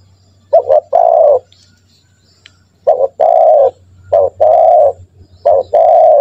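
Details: Spotted dove calling, played to train caged doves to start calling; three phrases, each a short clipped coo then a longer rolling coo, separated by pauses of about a second, with a low hum underneath.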